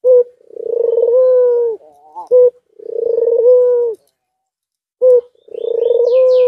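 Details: Courting white dove, aroused and nodding, repeats long throaty coos: a vibrating, rolling start that smooths into a level hum, with brief abrupt notes between phrases and a short pause before the last coo.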